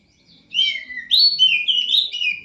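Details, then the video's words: A poci bird (prinia), bathed each night and said to be good enough for third place, sings loud, high, warbling phrases that swoop down then rise again in a lively, continuous run. "Suara Burung Poci"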